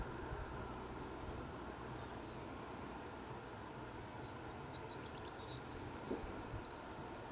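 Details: Corn bunting singing at Foxton, Cambridgeshire, England, in May 2018: a few faint high ticks that speed up into a brief, rattling, high-pitched jangle. Steady low background hum and rustle.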